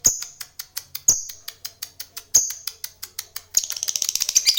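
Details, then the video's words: Contest laughingthrush, a candidate champion bird: rows of sharp clicks with brief high whistles, then a fast run of rapid high chattering notes near the end. "Burung ngekek calon Kongslet juara bertahan"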